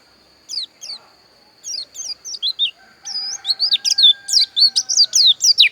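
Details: Javan white-eye, dakun variety, Pupuan, Bali: spaced high falling chirps quicken into a loud continuous warble of looping, squeaky whistles, with a faint steady high tone behind.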